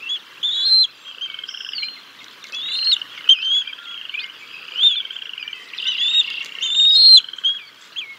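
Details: At a bald eagle nest in early May 2022 during a fish feeding of the chicks by the parents, shrill piping and chirping notes come in uneven overlapping bursts throughout.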